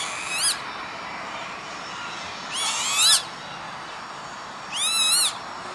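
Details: Lapwing on an industrial estate near Veenendaal, the Netherlands, 28 May 2013: three strained, rising-then-falling wheezes, about two seconds apart, each growing louder than the one before, over soft background hiss.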